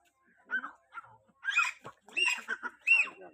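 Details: Grey francolin call, used to call other francolins: a series of harsh, ringing notes with strong overtones, short at first, then louder and longer, about five notes in three seconds, over a quiet background.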